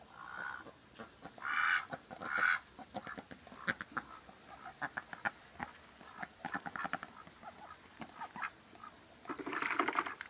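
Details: A female pet duck gives a few loud nasal quacks in the first seconds, among clattering, tapping and rustling, with a harsher burst near the end.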